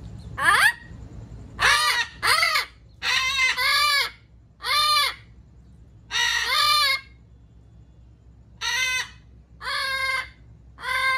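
Amazon parrots give about ten loud, harsh, nasal squawks, each under a second, in uneven bursts with short pauses between.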